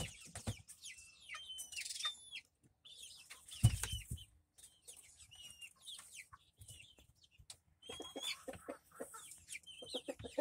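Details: Young Rhode Island Red chicks, May 13, 2024. Scattered high, bent peeps sound in short runs between quiet gaps, with a dull thump and light scratching in the litter.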